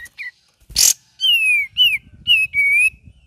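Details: Cream-vented bulbul, singing vigorously with ngeriwik variations. Short whistles lead to a loud rasp, then four rich whistled notes that sag or rise slightly, with faint low rustling beneath.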